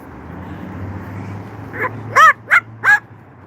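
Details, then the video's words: Pet Moluccan cockatoo on a patio barking in imitation of dogs when it sees or hears them; four short, harsh, rising-falling barks in quick succession over a steady low hum of traffic. "Hi, Kim. Yeah, Max loves to bark for dogs."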